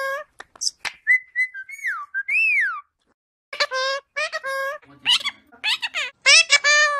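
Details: Cockatiel kept as a pet, imitating "peekaboo": clear gliding whistles that rise and fall, followed by rapid strings of raspy, speech-like syllables in short bursts.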